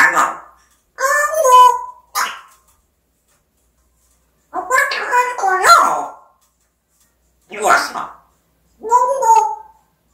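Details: Pet African grey parrot talking indoors: short bursts of speech-like phrases with clear voice-like tones, separated by silent pauses of one to two seconds.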